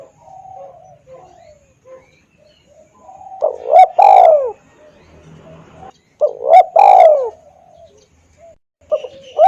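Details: Loud, clear spotted dove lure call used to attract wild doves: soft coos lead into two loud phrases, each with quick rising hoots and a drawn-out rolling coo, separated by quiet pauses.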